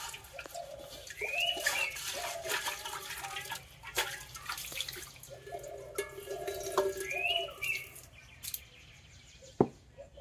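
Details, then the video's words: Indian pitta in the Konkan, India, in summer, giving two loud, clear whistled calls about six seconds apart, over lower cooing notes probably from a spotted dove and the splashing and clatter of dishwashing. "Indian Pitta (नवरंग)"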